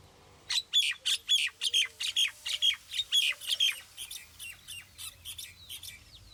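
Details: Common myna (Acridotheres tristis) delivering a loud, fast run of harsh, squawky repeated notes, roughly two or three per second. The notes soften and thin out toward the end, with little background noise.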